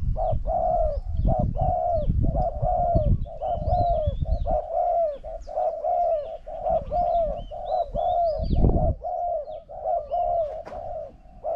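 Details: Spotted dove, with a decoy bird against a wild bird that coos very well. A long, unbroken series of rapid, evenly repeated mellow coos runs throughout. Intermittent low thumps and rustling sound underneath.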